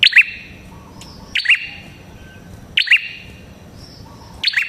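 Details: Lure song of a red-headed prinia (prenjak kepala merah), for attracting other prinias: four strident doubled chirps at irregular intervals, bright and high with echoing tails, plus a faint thin whistle between them.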